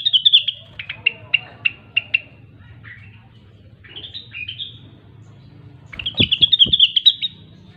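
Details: Gacor song of a grey-cheeked bulbul (rengganis): a series of sharp separate high notes spaced evenly, rising slurred whistles, then a dense rapid chatter accompanied by a couple of dull knocking sounds.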